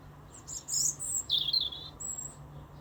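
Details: A small robin singing: a short burst of very high, thin twittering notes, a sweeping descending squeal in the middle, then a final high whistle, with faint low hum beneath.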